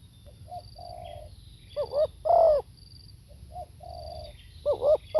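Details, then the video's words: Spotted dove cooing live: a soft short note and a level mellow coo, then two emphatic wavering coos, the phrase beginning again at the end; faint higher calls in the background. "เสียงนกเขาใหญ่ สด | suara tekukur"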